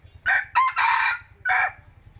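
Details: Decoy rooster crowing loudly: a harsh, broken crow made of a short opening burst, a brief higher note, a long drawn-out middle phrase and a separate falling final note, with a faint low rhythmic hum underneath.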